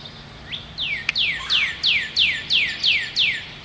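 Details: A Northern Cardinal sings on the first day of spring, 2011: a fast series of about nine clear, whistled notes, each slurring sharply downward, roughly three per second, with a faint click and light background hiss.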